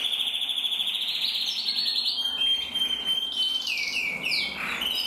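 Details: Two red-black canary males, intensive and frosted, sing together. A fast rolling trill holds, then a pure sustained whistle, then rising and falling sweeps with chirps dropping lower.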